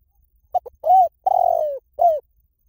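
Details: Single spotted dove phrase: two brief opening notes, a rounded coo, a long vibrating coo falling in pitch, then a closing arched coo. Calm, clean background.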